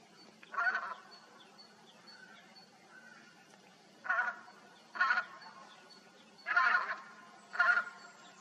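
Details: Tundra bean goose in the Hannover region, Germany, recorded between 2021 and 2023: five separate honking calls, some doubled, spaced irregularly about one to two seconds apart over a low steady background hum.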